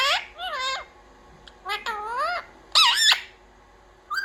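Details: Talking parrot imitating "mummy papa" gives squeaky, voice-like syllables in short groups, with bending harmonic notes and a loud wavering phrase near the end.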